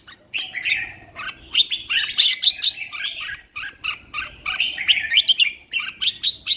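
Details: Competition red-whiskered bulbul in a cage, healthy and singing vigorously: rapid, bright, whistled and chattering phrases delivered in quick succession with barely a break, sharp accented notes jumping up and down.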